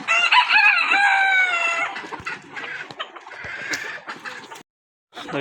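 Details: Rooster crowing on a desi poultry farm: a loud harmonic crow about two seconds long, then quieter clucking and scratchy farm noise, a brief silence and another call starting.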